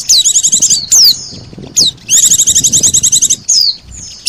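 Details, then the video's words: Lure recording of Oriental white-eye combined with sogon calls for drawing birds in: rapid high trilled chip series alternating with quick descending whistled slurs, loud and repeated. "SUARA PIKAT BURUNG PLECI DAN SOGON"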